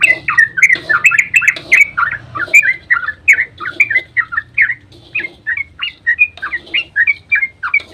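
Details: Yellow-vented bulbul in long dawn ropel song, used as a lure to make other bulbuls sing; dense run of quick bubbly warbled notes, rising and falling, with a few short sharp chips and faint low hum.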